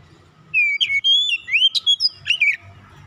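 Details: Oriental magpie-robin song offered as a lure for birds that have gone quiet: a lively string of fluty whistled notes and quick slides, closing with short twittering phrases over a soft low background hum.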